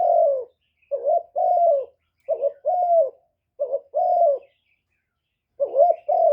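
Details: Spotted dove decoy bird cooing to stir and lure wild doves, recorded live without background noise: mid-pitched, slightly falling coos given in quick two-part phrases, four phrases in about six seconds, separated by short silences.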